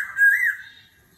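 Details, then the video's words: Laughingthrush singing competitively in a wild-style voice: one loud, clear whistled note that rises slightly, then fades away within a second. "Khướu hót giọng rừng - hót đấu - đảo giọng liên tục - kéo thuốc lào"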